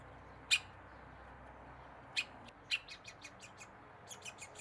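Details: A young Middle spotted woodpecker (Dendrocoptes medius) calls while looking out of its tree-hole nest: sharp, high chips, three loud ones spaced apart, then a quicker run of fainter repeated notes, over a low background hum.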